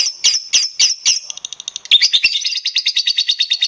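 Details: Lovebird used as a prompting recording to set other lovebirds singing; rapid shrill high chirps, a loose series then a denser repeated chatter of buzzy notes about three per second after the midpoint.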